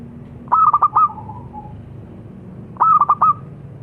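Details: Two phrases from a local zebra dove: each opens with four rapid, punchy notes and fades into a softer falling coo. A quiet pause sits between them against faint low hum.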